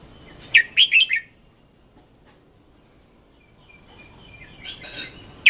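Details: Decoy red-whiskered bulbul in a fired-up training song: one crisp phrase of three or four quick bright notes, followed by a quieter spell with faint, broad rustling noise.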